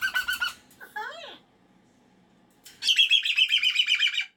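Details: Pet cockatoo indoors on a Monday morning, upset that the weekend is over: a few rising and falling squawks, a pause, then a fast run of harsh, buzzy chattering calls.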